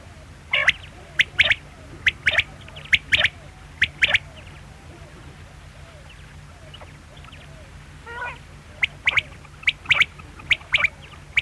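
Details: Quail giving short, clipped notes in quick groups of two or three, a burst early, a quiet gap with one softer note, then another run of sharp calls; faint background hum.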